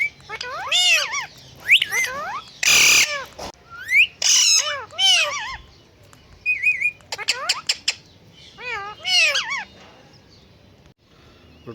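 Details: Talking parrots on a bird stand give groups of arched harmonic squawks, a loud broadband rasp, a short warbled whistle, then fading calls and near silence at the close.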